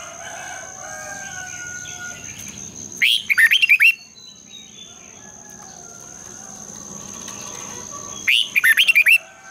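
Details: Red-whiskered bulbul singing at dawn in the long double-twisted voice style. It gives two quick, looping whistled phrases roughly five seconds apart. Quieter birds call in the background over a steady high whine.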